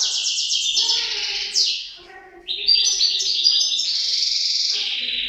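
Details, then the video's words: From a pair of European goldfinches, sustained twittering high song with rapid trilled phrases and a downward sweep, barely pausing throughout. "couple chardonneret"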